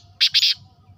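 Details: A female black francolin gives three quick, harsh, grating notes run closely together. The notes are buzzy and broad-toned, and the surroundings are otherwise quiet.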